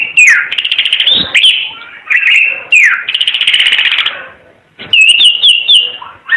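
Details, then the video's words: Timor red-eyed bird singing energetically: downslurred whistles leading into fast buzzy trills, then a series of quick, bouncing whistled notes. "Kicau Burung Ara UNIK Mata Merah Suara Gacor"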